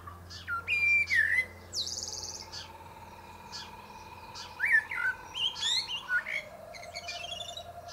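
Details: Common Blackbird, male, singing on top of a pear tree: a fluted whistled phrase with scratchy high ending, a quiet pause with a faint steady tone, then another warbling phrase rising into thin squeaky notes.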